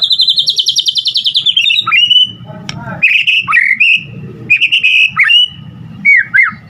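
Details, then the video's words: White-rumped shama singing energetically, used as a lure for other shamas: a fast high stuttering trill, then repeated dipping whistled phrases with short pauses and low rumbling beneath. "Murai Batu GACOR Full Isian Ampuh Buat Pancingan Murai Batu Agar Cepat Bunyi"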